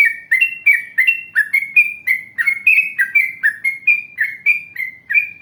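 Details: Yellow-vented bulbul singing in the 'ngalas panjang, ropel panjang' style, used as a lure to make other bulbuls answer: a steady run of short, bubbly, slurred notes, about one and a half per second, clean and without other sounds.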